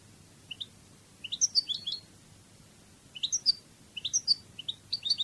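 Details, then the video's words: Cádiz-style song of a European goldfinch from Spain: sharp, high chirps building into rapid twittering phrases, each cluster lasting under a second, separated by pauses; no other sounds. "CANTO DE JILGUERO CADIZ"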